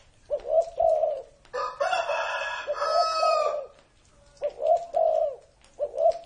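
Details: Spotted dove said to be over thirty years old. Soft, hollow coo phrases open and close the recording, and a loud rooster crow cuts across the middle.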